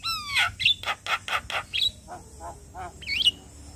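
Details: A Javan myna sings a daily morning lure for training: a falling whistle, a series of harsh rasping squawks, softer lower notes and a twisting high whistle at the end.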